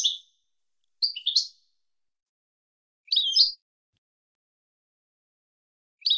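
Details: Tutoring song of a European goldfinch, 2022 'lugha' style for young birds: brief tinkling chirp clusters, one or two notes each, at uneven gaps of one to two and a half seconds; nothing else audible.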